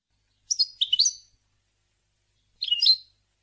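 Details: Tame caged European goldfinch kept as a pet bird, singing: two short bursts of twittering, buzzy high notes about two seconds apart, the first with quick chattering elements, in otherwise quiet surroundings.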